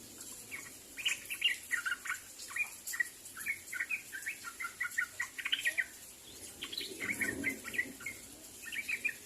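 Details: Sooty-headed bulbuls calling to others, a lively stream of short, bright, chattering chirps in clustered bursts throughout, with a soft low murmur near the end.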